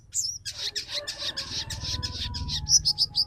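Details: Female crimson sunbird's rapid chattering call, used to provoke males into singing and breeding condition; fast buzzy stutter of high notes that closes with a few clear, thin whistled chirps.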